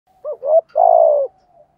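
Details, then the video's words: Spotted dove cooing in the 'giọng thổ' singing style: one phrase of two short low hoots, then a longer, louder coo that falls away at the end, with faint trailing notes. "cu gáy giọng thổ"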